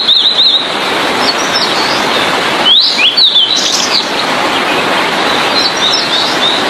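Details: Blue-and-white flycatcher in lively full song, suited for tutoring other songbirds: high, clear whistled notes sweeping up and down in short bursts, with a louder run in the middle, over a constant loud hiss.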